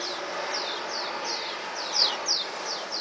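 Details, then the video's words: In flight above the Tudor quarter of Csíkszereda, swallows give a rapid series of high, descending chirps, about three per second, two standing out louder, over a hissy background. "Fecske repülés, és csiripelés"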